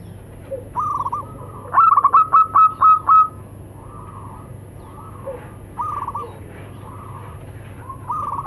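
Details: Local zebra doves, male and female, calling and answering each other: soft mid-pitched cooing notes, a quick run of about seven stuttering bright notes, then more level coos spaced a second or so apart over a steady low hum.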